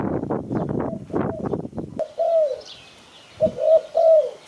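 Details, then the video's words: Spotted dove coos used as a lure for bird catching. Two seconds of clattering noise give way to clear, soft, slightly downslurred coos in a short broken phrase, then a quiet background. "Sound Spotted Dove Malay"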